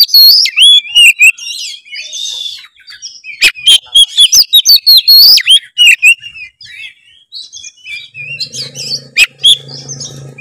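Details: White-rumped shama singing as a lure: dense run of sharp clicks, sweeping whistles and chattering notes, ending in softer warbles over a low hum.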